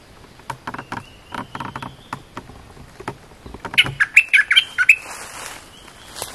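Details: Cream-vented bulbul song for teaching young birds: a series of dry clicking taps, then a quick bubbly run of about eight sweet chirped notes, followed by soft hiss.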